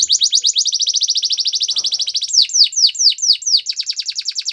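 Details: Canary singing for training: a long, rapid, even trill of bright repeated notes lasting about two seconds, followed by slower, looping descending whistles about two a second, then a quick chattering run.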